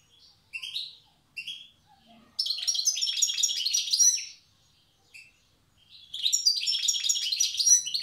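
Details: Old-style song of a wild Tiaret goldfinch: a few separate rising chirps open, then a dense stream of rapid jingling notes, a pause with one chirp, and another long twittering run.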